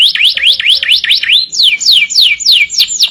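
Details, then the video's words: Canary singing energetically (gacor) on a master recording made for training other birds: looping whistled sweeps rising and falling about four times a second, then a run of high, descending slurred notes. "masteran burung kenari gacor"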